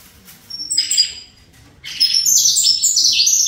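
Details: Breeder-raised caged saffron finch, fibra style: one short high note group, a silent pause, then a sustained run of sharp, high chirps stepping up and down.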